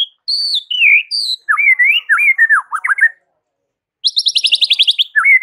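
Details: White-rumped shama singing in the morning to provoke rival shamas into answering: clear whistled notes slurring down, then choppy mid-pitched warbled phrases, a pause, and a fast high stuttering trill of about a dozen rapid notes before another warble begins.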